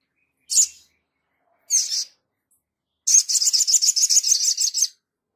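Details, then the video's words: Sogon in energetic singing form, intended for training other birds: two isolated piercing high chirps, then a fast rattling string of about fifteen shrill notes lasting nearly two seconds. "Langsung nyaut Sogon gacor ,untuk masteran"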